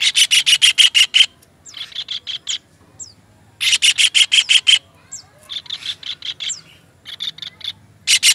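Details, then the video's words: Kingfisher recording made as a songbird training master: powerful rasping notes in rapid runs, interspersed with short downward-sliding whistles, and pauses between bursts. "MASTERAN TENGKEK UDANG"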